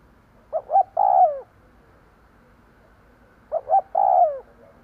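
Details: Lure spotted dove calling to provoke wild birds, two matching phrases three seconds apart: short coo, short coo, then a sustained descending croo, clear and unhurried over soft background hiss.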